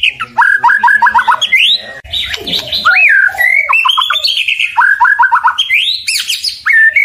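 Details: White-rumped shama (murai batu) singing a loud, varied song: rich whistles sweeping up and down, broken by quick runs of sharp descending notes, with a harsher burst in the middle.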